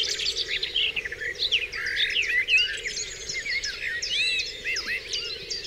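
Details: Dawn chorus on Dewlands Common with varied warbling phrases, sharp chirps and several clear rising and falling whistles, many birds singing at once.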